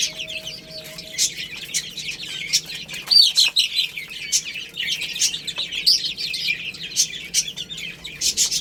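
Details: A group of baby chickens chirp busily while eating rice, making piercing peeps in uneven bursts with sharp tapping sounds between them.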